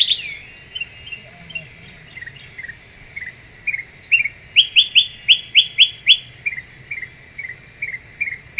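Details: Lure song of a very vocal black-capped bulbul, used to provoke other birds: scattered soft chirps, then a fast run of eight sharp rising whistles, then lower chirps again, with a constant high whine behind.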